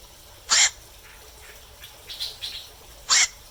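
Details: Two loud, hoarse croaks of a black-crowned night heron at night, about two and a half seconds apart, with softer brief calls between them.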